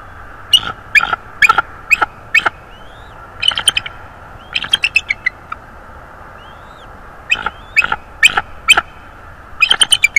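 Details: Bald eagle pair at a nest in northeast Florida, recorded by a nest camera in January at dawn: bursts of rapid, high chittering notes in clusters, with faint thin upslurred whistles between them over steady background hum.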